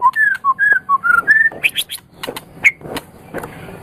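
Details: White-rumped shama singing, kept as a pet songbird: a series of clear whistled notes alternating low and higher, followed by sharper chirps and clicks.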